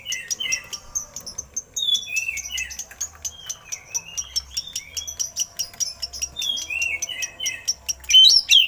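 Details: Oriental magpie-robin song with eagle imitations, used as a training master for other birds: rapid dry ticking clicks repeated steadily, interwoven with short falling whistled phrases and a louder burst at the end.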